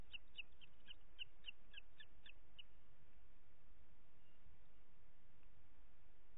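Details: Booted eagle nest in the Ports Natural Park, Catalonia, 25 June 2021 at 21:38, the mother giving two chicks their dinner: about ten fast, high, squeaky notes in the opening seconds, then only steady hiss.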